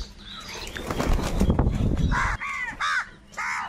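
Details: A noisy scuffle with rustling and wing noise gives way to three loud, hoarse caws from crows fighting over food.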